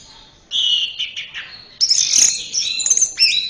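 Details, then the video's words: Short burst from an orange-headed thrush: a sustained clear whistle, then a busier run of high sweet notes and quick trills. "Masteran Suara Burung Anis Merah"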